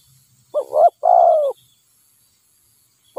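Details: Wild spotted dove, a bird that nods a lot and turns aggressive toward a decoy during trapping, giving two low, mellow coo phrases in quick succession, the second longer and steadier, then a pause before another coo begins.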